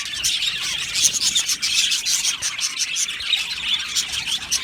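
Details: Australian budgie colony in an aviary, breeding and mating sounds: flock twittering with thin whistled notes and quick chirps sprinkled over a constant high-pitched babble.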